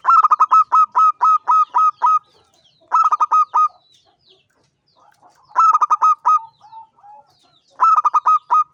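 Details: Local champion zebra dove (perkutut) singing prolifically: four bursts of rapid, pulsed cooing notes, six to eight per burst, separated by short pauses of a second or two, with faint soft notes between bursts.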